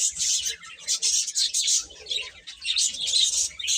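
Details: A short burst of chick chatter: dense, high, overlapping peeps from many young birds, with faint low rustling.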